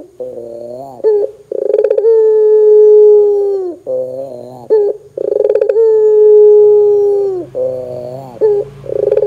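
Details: Vigorously calling Barbary dove, used to prompt other doves to join in: two similar phrases, each a brief wavering note followed by a long level droning coo lasting about two seconds, ending with short slurred notes.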